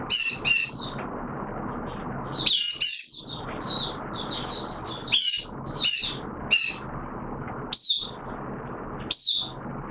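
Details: Oriental white-eye kept as a hobby songbird, recorded 6 September 2022 in wet weather, delivering bright, high-pitched chirps and twitters in short clusters roughly every second, some notes sharply down-slurred.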